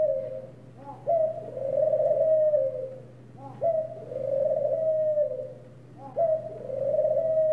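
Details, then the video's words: Repeated ring dove cooing, each phrase a quick rising hiccup followed by a long, gently wavering, mid-pitched purr. Three phrases come roughly every two and a half seconds over a low background hum. "The Sweet Serenade of Ring Doves"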